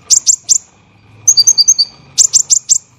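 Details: Kolibri ninja, or olive-backed sunbird, training song for songbirds: three sharp high chirps, a short run of alternating bright ringing notes, then three more chirps.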